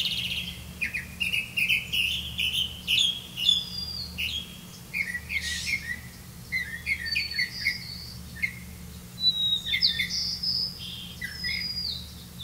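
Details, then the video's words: Grey-capped greenfinch, catching crickets to feed its young, gives a lively run of twittering chirps, short rising and falling notes and brief buzzy trills that continue without pause, with a soft low hum beneath. "Grey-capped greenfinch Birds, Catch a Crickets for your child to eat"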